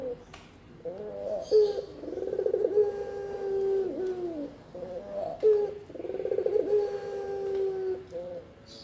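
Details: Spotted dove cooing, used to lure birds and as a master sound for training: two phrases about three seconds apart, each a short lead-in note, then a burry rolling section sliding into a sustained, smooth, hollow coo.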